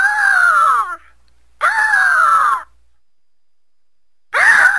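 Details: Eagle calling: three long, harsh, downward-sliding screams, each about a second long and separated by short silences, with a rich, layered tone and a clean, quiet background.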